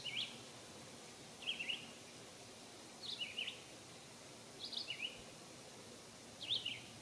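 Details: American robin singing at a birdbath after bathing on a warm summer day in 2022: five short, high, warbled phrases, each about half a second long and spaced a second or so apart, over a steady soft outdoor hiss.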